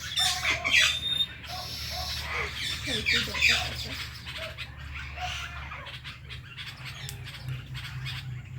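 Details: Pet Indian ringneck parrot kept with a blue ringneck companion, two birds together: harsh high squawks and chattering chirps crowding the first seconds, then scattered softer notes over a steady low hum.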